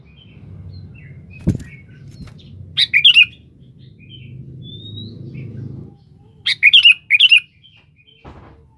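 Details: Sooty-headed bulbul singing to call a rival, for luring: two bursts of quick liquid whistled notes several seconds apart, with faint thin whistles, a sharp knock and a low rumble.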